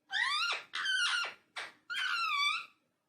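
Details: Indoor talking parrot giving four loud, speech-like, harmonic phrases in quick succession, the final one longest with a gently falling pitch, then silence.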